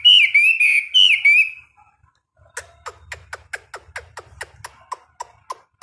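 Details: Caged Chinese hwamei during a daily 15-minute morning singing session: two loud whistled phrases with slurred, wavering notes, then a quieter run of sharp, evenly spaced clicking ticks with a faint low rumble.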